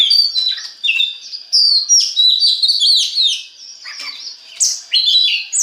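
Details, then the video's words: Kacer (Oriental magpie-robin) song used as a lure to make other birds sing: bright, varied high whistles and chirps in short loud bursts separated by brief pauses. "DI JAMIN BIKIN KACER LAIN AUTO GACOR DENGAN PANCINGAN BURUNG KACER INI"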